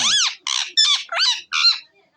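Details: Green ringneck parrot kept as a pet, giving a run of five harsh, chattering squawks with sweeping harmonic notes, each about a quarter second long, with a person talking to the bird nearby.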